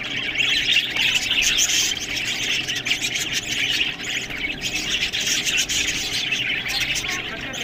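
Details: Several budgies chatter nonstop while eating green food: rapid overlapping chirps and squeaky warbles with a constant rasping, crunchy background of feeding noise.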